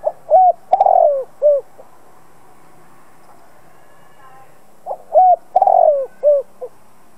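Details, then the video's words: Spotted dove lure bird cooing to provoke rival doves: two full phrases roughly five seconds apart, each with a clipped opening note, a rising coo, a long fluttering descending coo and short trailing coos, over faint low background hum. "Chim cu gáy mồi cây gáy gọi kích bổi tập mồi căng lửa. Cu đất gáy kích bổi."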